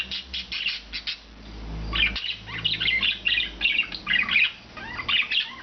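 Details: Rescued pet budgerigars, four birds of blue, green and white plumage kept free all day, trade bursts of bright warbling chirps; a quieter stretch early on, then lively overlapping twitters and short rising squeaks.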